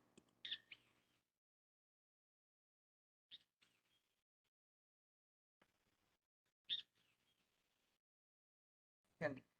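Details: Great Kiskadee in Texas's Rio Grande Valley, a common neighbourhood bird that yells its name, gives loud, harsh, bright calls in four separate bursts a few seconds apart, with quiet gaps between them.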